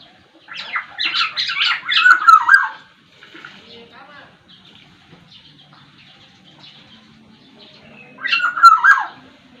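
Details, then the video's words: Sumbawa Black-naped oriole in full song with many variants: a rapid run of harsh, chattering nasal bursts for about two seconds, a quiet pause, then one more rasping downslurred call. "suara burung kepodang sumbawa gacor dan varian suaranya banyak"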